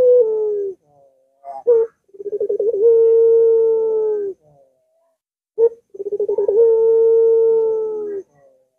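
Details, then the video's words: Long-voiced Barbary dove cooing, used to tempt a reluctant dove to sing. Two full phrases, each a fast throbbing lead-in and then a drawn-out even coo of about two seconds, separated by short clipped notes and a pause. "Puter Macet Puter Malas Bunyi Langsung Ngaut"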